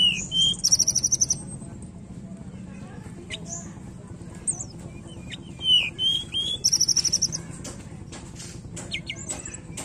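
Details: Tledekan song used as a lure to make a reluctant bird sing: high thin whistles and buzzy trilled bursts, sliding notes in short phrases with gaps, over a low steady hum.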